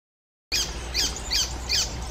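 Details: Icterine warbler, a songbird that mimics the voices and songs of other birds: four harsh, downward-slurred high notes repeated at even intervals after a short silence.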